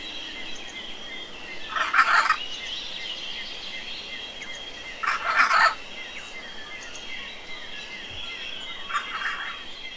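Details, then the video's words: A wild hyacinth macaw gives three loud, harsh, grating squawks about three seconds apart, over a steady high insect drone. "Hyacinth macaws in the wild"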